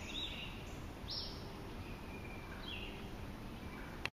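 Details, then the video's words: Acadian flycatcher at Ocmulgee National Monument, Macon, Georgia, on May 4, 2012: a single sharp, explosive upward-sweeping note. Fainter thin whistles from other birds and steady background hiss come through. "Acadian Flycatcher calls"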